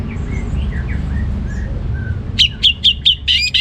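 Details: Orange-headed thrush in ngeplong style, a loud, clear, frequent singing: after soft distant whistles, a quick run of six sharp, ringing notes repeated about every quarter second, over a low background rumble.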